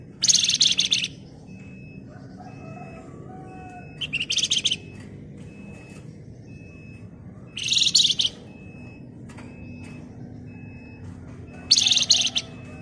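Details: Flamboyan bird in full gacor song, a dense ngebren with shrill, tight chattering. Four short, very high, buzzy rattling bursts come about every four seconds, with a thin steady tone and a low hum between them.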